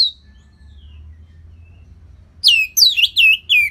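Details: Orange-headed thrush song, played to lure and train other birds into singing: after a quiet start, a quick run of four loud, clear notes, each sliding down and ending in a short flourish.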